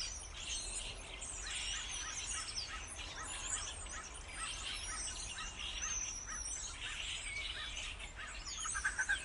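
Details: Starling song: a dense, busy stream of chattering chirps, squeaks and short whistles, with repeated clicky notes that overlap continuously throughout, over a steady low background rumble.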